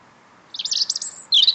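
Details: Greeting after work from a small singer: a fast twittering run of high chirps, then after a brief pause a louder, sharper burst of bright trilled notes.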